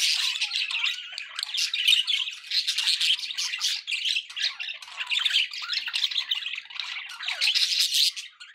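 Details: Budgerigars kept as pets keep up a busy, scratchy chatter of clicks, squeaks and short whistled notes, layered and continuous throughout, with light background noise.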